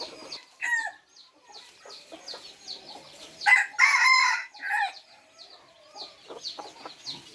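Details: An F3 red junglefowl crowing once in a rough, clipped burst, framed by brief calls and the steady chirps of other birds.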